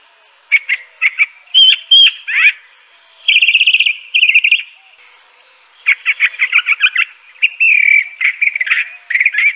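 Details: Crissal thrasher (Toxostoma crissale), southwestern United States to central Mexico, singing from dense undergrowth: varied phrases of rapid buzzy trills and clear slurred whistles, separated by short pauses.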